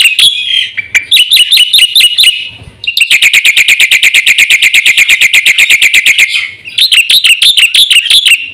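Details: A Black-winged myna sings at full intensity, meant to coax and tutor caged birds. Sets of bright hooked whistles frame a long, rapid, evenly pulsed rattle of high notes, then the hooked whistles return.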